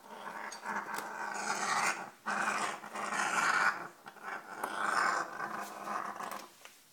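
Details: African grey parrot indoors at home in Texas, playing with and tossing the kitchen rug on the floor, gives harsh, raspy growls in bursts of a second or two, starting low and quiet then growing louder as it's unsure about the rug.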